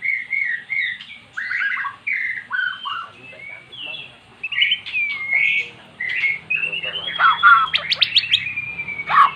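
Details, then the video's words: Magpie-robin, a caged bird that had never sung, now singing after repeated playback of recorded magpie-robin song; varied whistled phrases, short rising and falling notes and harsh buzzy bursts, with faint voices and low hum beneath. "Burung Murai jadi GACOR setelah dengar kicauan di YOUTUBE"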